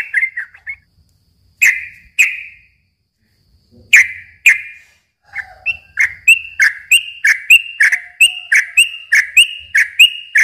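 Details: A yellow-vented bulbul gives scattered single bubbly notes with long pauses, then breaks into a fast, regular chattering song. The recording is used as a lure for young birds.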